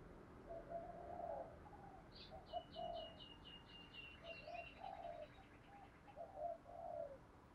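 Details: Faint spotted dove cooing, a training voice for provoking doves: a run of low hoarse coo phrases while another bird gives a quick series of high chirps midway, with background hiss throughout.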